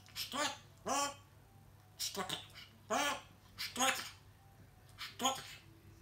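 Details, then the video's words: Pet grey parrot talking indoors: a string of short, clipped, speech-like syllables in about six bursts, pitched and nasal with rich overtones, separated by brief pauses, over a faint low room hum. "Говорящий попугай жако"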